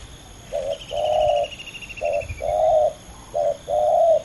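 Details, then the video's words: Spotted dove from a contest between two males: paired coos, a short clipped note followed by a longer level one, repeated three times, with a faint descending trill and light background hum. "ต่อดินนกเขาใหญ่ ดุเดือดคู่นี้!!"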